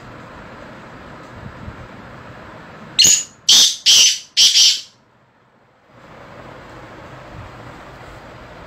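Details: Black francolin (kala titar) kept in a decorated cage, calling four rough, rasping notes in close succession, then falling silent against a constant low background noise.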